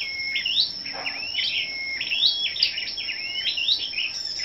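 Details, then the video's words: Scarlet-backed flowerpeckers gathered for morning competitive singing on 10 May: high, thin tinkling phrases of rising slurred notes repeat quickly without pause, over a steady high-pitched whine. "Những Chú Chim Sâu Đầu Đỏ Siêng Hót Đấu"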